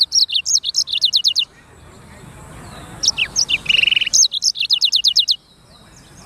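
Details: Black-throated canary (sanger) song with two main bursts of rapid, high, downward-slurred notes separated by a pause containing a brief dry rattle-like trill, the second burst running steadily for over a second.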